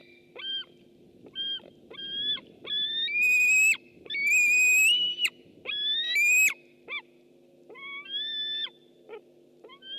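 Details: White-tailed eagle picked up by a webcam on 6 August 2015, giving a series of short, high, thin whistled yelps that swell into longer, louder strident notes midway, then fade back to brief whistles, with steady faint hum beneath.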